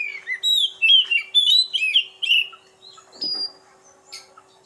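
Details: Oriental magpie-robin of the kacer poci type, natural voice: a rapid run of clear whistled notes and slurred warbles, mostly high and sweet, then thinner scattered high chips trailing off near the end.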